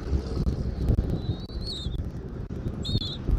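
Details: Bald eagle on a live eagle camera in Southwest Florida, 13 January 2024, early afternoon: two thin, high whistled calls, the first drawn out and wavering, the second short, over steady low wind rumble.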